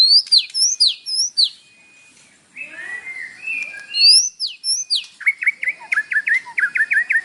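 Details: White-rumped shama song with imitated phrases, played in the morning to stir a captive bird to sing: high swooping whistles, a lower warbled passage, then a rapid series of sharp repeated chips.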